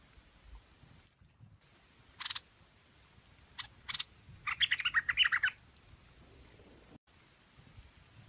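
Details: Chinese hwamei giving a few isolated sharp notes, then a fast rattling run of bright chirps, with faint background hiss between the phrases.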